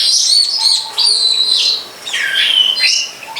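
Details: Wild long-tailed shrike giving high chirps and drawn, slurred whistles, one dipping then rising, in a short varied phrase.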